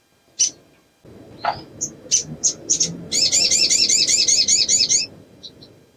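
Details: Sogok ontong female in breeding condition luring males: a few sharp high chips and a short falling note, then a rapid two-second rattle of repeated wavy whistled elements, ending with faint soft ticks.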